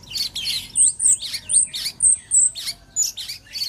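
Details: Caged bulbul (cucak cungkok) song used as a master recording to train other birds: quick, varied chirping phrases repeated about every half second, mixed with short high thin whistles.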